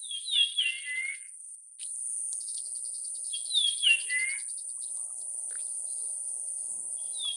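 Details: Japanese Grosbeak (Eophona personata) giving two clear, fluty whistled phrases, each sliding downward, about three seconds apart, over a steady high-pitched insect drone.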